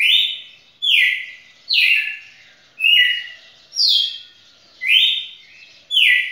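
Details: Red-cowled cardinal champion singer in a song bout over two minutes long; seven ringing whistled phrases, each dropping in pitch, spaced about a second apart with short silences between.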